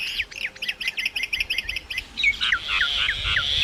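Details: Myna chattering: a fast stuttering series of sharp metallic clicks and chirps, about four per second, running into squeaky slurred notes and a harsh rasp.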